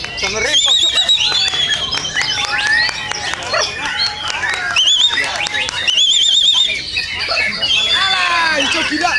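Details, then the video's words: White-rumped shama contest-training song: overlapping bursts of quavering high trills, whistled upslurs and tumbling notes, repeated in waves with brief drops in loudness around three and six seconds. "masteran LOMBA MURAI"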